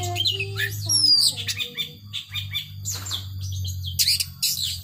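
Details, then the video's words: 'Power sobek' song of a captive long-tailed shrike, scattered harsh chattering and a thin descending whistle, over a constant loud low hum throughout. "Burung Cendet Power Sobek"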